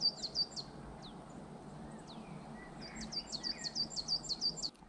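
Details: A great tit sings at dusk, the sun almost set, in the Lüneburger Heide, Germany, in March 2024. It repeats a quick, high two-note phrase in a steady run of about eight beats, with fainter bird calls in the background.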